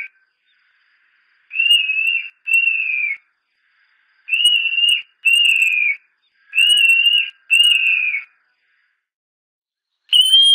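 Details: Montane Nightjar (Caprimulgus poliocephalus), called shepherd's distraction locally, singing clear, slightly falling whistles in pairs. Three pairs come about every 2.5 seconds, each whistle under a second long, and a fourth begins at the end. The background is quiet.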